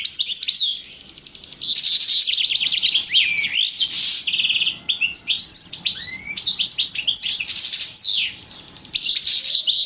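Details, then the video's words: Male European goldfinch paired with a female canary, recorded in 2012; a loud, continuous, fast twittering song of high buzzy trills, rapid chip notes and sweeping liquid phrases with almost no pauses. "Couple D'un Male Chardonneret & Femelle Canari 2012"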